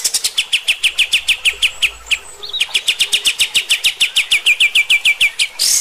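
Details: A Kapas tembak sings in "tembak" style, recorded as master song for training other birds: a fast, steady run of sharp, high chips, about three or four each second, over a quiet background.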